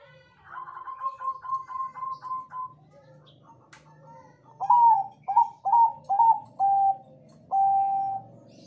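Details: A Bangkok zebra dove sings as a lure to get other doves answering. A soft, rapid series of about ten notes comes first, then loud accented coos, ending in two longer, level drawn-out notes.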